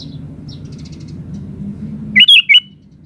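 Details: Sooty-headed bulbul, a lively singing bird, giving a short burst of three loud whistled notes that rise and fall over a low steady hum.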